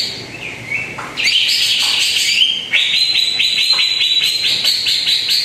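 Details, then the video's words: Greater green leafbird singing, used as a lure recording for a bird that rarely sings: a soft warbling start, then loud, quick runs of sharp repeated chirps at a steady high pitch. "PANCINGAN CUCAK IJO ANDA YANG JARANG BUNYI"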